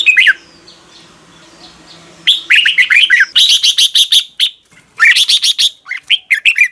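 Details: Red-whiskered bulbul in morning song, used as lure sound for voice training: after a brief phrase and a quiet hum, dense runs of bright, chattering whistled notes follow in quick repeated bursts.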